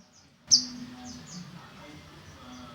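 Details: Olive-backed sunbird, known locally as sogon trotol, giving one sharp, very high chip followed by a few faint, thin downslurred notes over a steady low hum.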